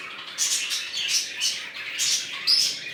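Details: Short bursts of high, squeaky chirping from budgerigars in a new colony, four or five brief notes spaced about half a second apart over faint background hiss.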